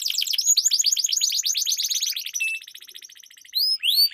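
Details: Canary used as a lure for competition birds, singing a fast rolling trill of repeated chirps that softens and thins, then ends with sharp rising whistled notes.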